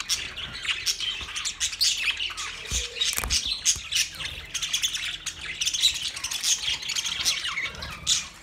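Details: Twenty pairs of budgerigars chirping in a lively, continuous chorus of scratchy squawks, high twitters and short whistles, with a few sharp clicks between bursts.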